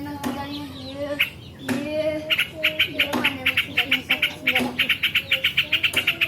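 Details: Yellow-vented bulbul singing a master song for training birds: a few lower fluty notes, then a fast, steady series of bright chirps, several per second, over light background hiss.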